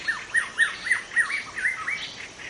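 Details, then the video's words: Wild young white-rumped shama in forest delivering a quick run of about eight repeated downslurred whistles, evenly spaced roughly every quarter second, ending with rising looped notes. "Kicau murai muda hutan"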